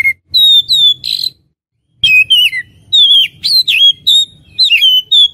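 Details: Oriental magpie-robin for luring wild birds: long pure whistles and a buzzy note, a pause, then a rich run of sliding whistled phrases over faint low hum.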